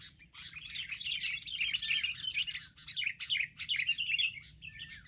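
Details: A group of wild sooty-headed bulbuls attacking together, eventually overcome: dense, continuous scratchy chattering and chirps from several birds, with quick slurred notes overlapping almost without pause over a faint low hum.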